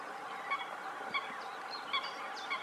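Spotted Crake giving short, sharp whistled notes repeated about every two-thirds of a second, over steady background hiss with faint higher bird sounds.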